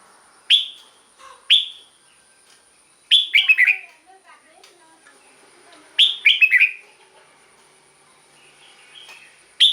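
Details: Red-whiskered bulbul singing, used to make caged birds lively: single clear whistled notes alternate with quick four-note warbled phrases, separated by silent pauses, over a faint steady high tone.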